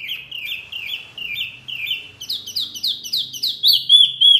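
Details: Masteran song to get caged murai, kacer, cucak ijo or jalak to answer: quick chirps repeated over three per second, the second half louder and higher, ending in a couple of thin whistles.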